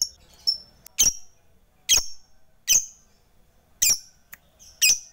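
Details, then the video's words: Lovebird used as a bait voice to draw out lazy, silent rivals, here giving harsh, high squawks in separate bursts about once a second, each short and rasping, with quiet pauses between. "Pancingan LB FIGHTER MEMANGGIL LAWAN, Berkat Suaranya Banyak Lovebird TAK LAGI LESU DAN BISU"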